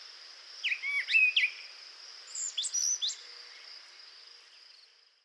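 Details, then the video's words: A brown thrasher sings rich, varied phrases: two quick clusters of slurred notes, each repeated, over a steady high insect hiss. Over 40 seconds it sings without repeating a song type. "Now, you just heard a brown thrasher sing for 40 seconds without repeating itself."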